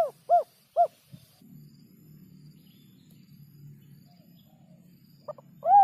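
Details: Spotted dove giving its three-note coo: three short, soft, arched hoots in quick succession, a pause over a faint low hum, then the phrase beginning again.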